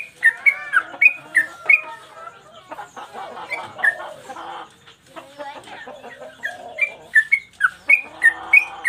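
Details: Yellow-vented bulbul song for training caged birds: bright paired whistles open and close the passage, and a stretch of harsher jumbled chatter fills the middle.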